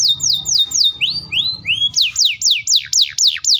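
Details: Canary song of loud descending whistled sweeps repeated about four per second, broken by a few slower rising slurred notes in the middle.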